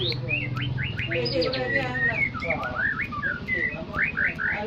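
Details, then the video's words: Aceh white-rumped shama song used as a lure to rile other birds: a continuous rapid run of varied whistled notes, slurs and sharp chips, with a steady low hum beneath. "murai batu pancingan murai batu aceh bikin burung lain emosi"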